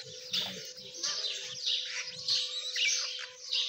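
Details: Several partridge chicks cheeping in quick, uneven succession, thin and piercing, with a persistent low hum behind.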